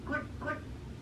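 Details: A rescued, human-imprinted talking pet magpie, indoors watching himself on a computer monitor, gives two short, nasal, harmonic utterances about a third of a second apart, over a low indoor hum.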